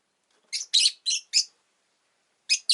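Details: Two rosy-faced lovebirds, pets, pressed together at an entrance, give a rapid run of four buzzy, squeaky chirps, then a silent pause before two more quick chirps.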